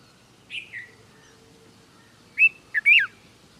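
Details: Red-vented bulbul in India: a short slurred note near the start, then after a pause a quick cluster of three bright, rising-and-falling whistled chirps. Quiet background otherwise.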